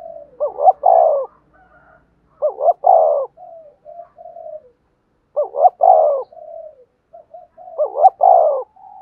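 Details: Spotted dove cooing for training decoy birds: four loud phrases, each a short wavering note running into a longer throaty coo, followed by softer trailing coos, in a quiet setting.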